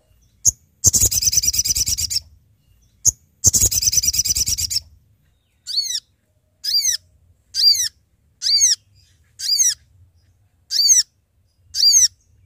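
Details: Sooty-headed bulbul calling companions, used for trapping lures: two long, rapid scratchy chatters at first, then eight short arched harmonic notes repeated about once a second.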